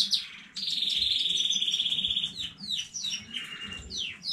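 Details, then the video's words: Domestic canary from a new home-bred brood, recorded 15 May 2019, singing: a few quick high notes, then a long, even, rolling trill held for nearly two seconds, followed by descending whistled slurs and buzzy fragments. "KANARYA ÖTÜŞÜ YENİ ÜRETİM HANEDEN 15.05.2019 CANARY SINGING"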